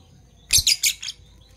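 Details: Fischer's lovebirds, parblue violet and parblue turquoise, kept birds in the morning giving a quick run of four harsh, shrill high chirps in under a second over a faint low hum.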